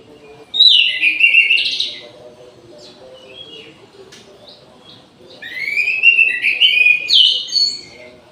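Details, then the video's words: Midday song of an orange-headed thrush kept in an aviary: two loud, fluty, warbling phrases several seconds apart, the second longer with rising and falling whistled notes. "ANIS MERAH GACOR DI SIANG HARI"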